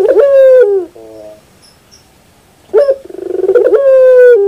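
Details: Zebra dove (Geopelia striata) song: mellow, slightly falling coos, with a quick run of short staccato notes leading into a final drawn-out coo.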